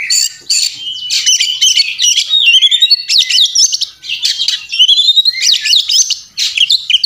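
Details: Oriental magpie-robin fighting song used as a training recording, loud and dense: fast tumbling high whistles, buzzy trills and sharp chattering notes packed together with barely a pause.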